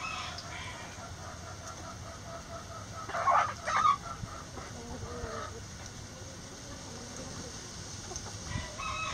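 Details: Backyard chickens in the coop, a pair of loud, short, squawky clucks in the middle, with fainter scattered clucks before and after over a low steady hum.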